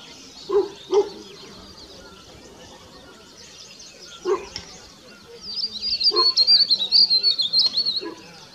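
A bluebird gives a high, rapid twittering warble for about three seconds, while a few low, dog-like barks sound earlier and in between.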